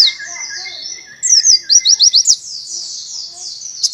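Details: Buxton's white-eye giving tembakan, a canary-imitating song style. After a thin reedy trill comes a fast series of about six crisp descending whistles, then more quiet high twittering.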